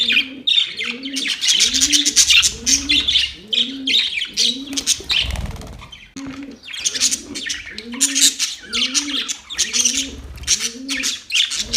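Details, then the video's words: Pet budgerigars chirping while playing: dense, scratchy high chirps and warbles in bursts, over a steady series of low, soft, arched cooing notes repeated about every half second throughout. "Budgies chirping sounds"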